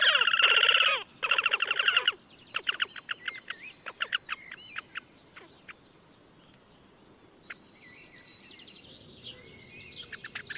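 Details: Gavieze, Latvia, May 2024: a wild Slavonian grebe gives an intense squealing trill at the start, then scattered short clipped notes trail off into quieter calling.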